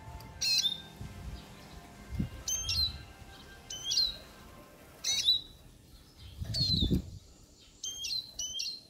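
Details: Siskin song: a series of loud, high chirps, each dropping into a brief sliding whistle, given roughly once a second, with scattered softer twitters and some low thumps in the background.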